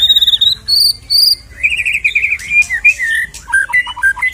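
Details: White-rumped shama song for provoking a shama to sing: high repeated ringing whistles, then a sustained buzzy warble and a series of short descending slurred notes.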